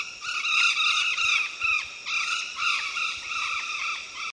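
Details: Golden conures (Guaruba guarouba), a threatened species, give harsh, squealing screeches with an arched rise and fall, repeated in quick overlapping bursts about twice a second.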